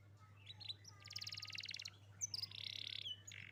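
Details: Young canary in full song, used as a prompt to get silent canaries singing: buzzy rapid trills and dense rattling bursts high in pitch, broken by short slurred whistles, over a steady low electrical hum.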